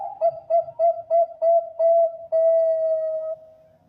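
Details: Zebra dove of the Bangkok type, a prize-winning voice meant to draw in other zebra doves, repeats clipped low cooing notes about three per second before settling into a long, slowly fading final coo.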